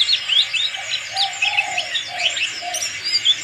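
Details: Black-capped white-eye, a fighter bird, singing with crest standing up: quick, high, sweeping twitters in a continuous jumble, with lower soft cooing phrases underneath.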